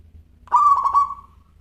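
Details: Singing local zebra dove, crystal-toned: a single bubbling coo of four rapid pulses that tapers into a soft, lingering tail over a faint low hum.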